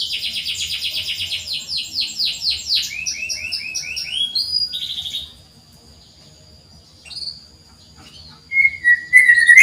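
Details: Canary (kenari) song meant as a singing lure for reluctant canaries: about five seconds of rapid high trills and repeated chirps, then near silence, with a brief lower whistled phrase at the end.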